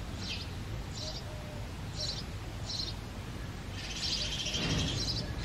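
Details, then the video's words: A male house sparrow chirping loudly in the breeding season gives short, bright chirps about once a second, then a quicker burst of overlapping chirps, over a steady low rumble of background noise. "The Sparrow Calling"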